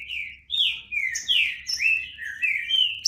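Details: Singing green-winged saltator giving a run of loud, clear whistled phrases that rise and fall in pitch, closely linked with brief gaps between them.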